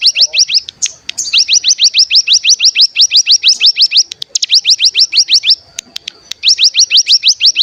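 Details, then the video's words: Bar-winged prinia (cigun) 'bren' song played as a decoy to make other birds sing. Nearly continuous fast runs of rising whistled notes, roughly three per second, broken by brief gaps and an occasional single sharp note. "Pancingan Cigun Bahan Agar Bunyi Langsung Ngebren Paling Ampuh"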